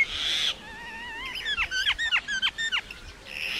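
A common myna sings a varied run of whistles, including a low rising whistle, then a fast series of about eight sharp, down-slurred squeaky notes, with a harsh hiss at both ends.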